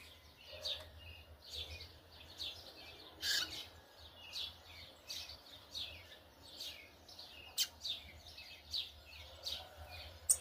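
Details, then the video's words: Brown-plumaged Yellow-bellied Seedeater giving its churrio warbling; short high chirps and buzzy notes repeated roughly every second, with a steady low hum underneath. "Coleiro Baiano pardo churrilhando"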